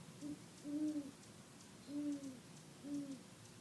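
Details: Male great horned owl hooting at Palos Verdes over Labor Day weekend 2013: low, soft hoots in a short series, one brief note followed by longer ones about a second apart, over a steady background hiss.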